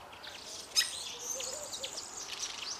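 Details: Fork-tailed Drongo pair singing together, a sharp crack followed by scattered high whistles and short buzzy notes over a faint low warbling phrase.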